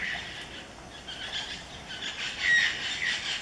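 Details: Robust woodpecker recorded in a birdwatching backyard, giving rough, squawking notes that run together in a short, rasping series, with faint broadband background noise.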